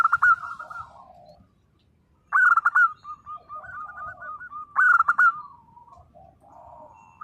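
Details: Local zebra dove in 'nembak' song to draw answers from silent birds: three loud rattling bursts, between them a level chain of soft hooked notes and a short pause of near silence.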